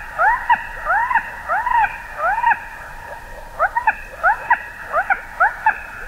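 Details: Common moorhen: short arched, clear notes in quick pairs and triplets with rich overtones, repeated in loose bursts over a quiet background.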